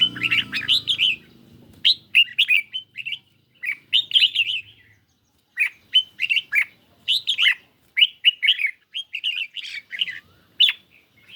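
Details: Red-whiskered bulbul kept in a cage, duelling a phone recording in song under light sun; steady series of crisp, bubbly whistled phrases roughly every half second, with a low murmur at the very start.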